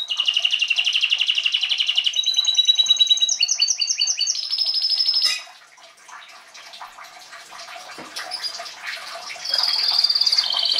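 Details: Canary song: a long steady buzzy trill, then fast rattling notes and sliding whistled phrases, a short quieter gap with faint chirps, and a bright trill returning at the end.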